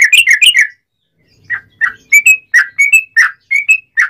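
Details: Sooty-headed bulbul, recorded to stimulate other bulbuls to sing: a quick run of bubbly chirps, a short pause, then loud rounded notes in pairs, each dropping or rising slightly, roughly three a second, on a quiet background.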